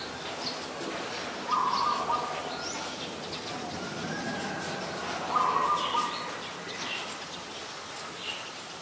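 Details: Adult zebra dove, Ubon Ratchathani, Thailand, 24 February 2022: two short, rapid stuttering coos about four seconds apart, with faint chirps from other birds and background hiss.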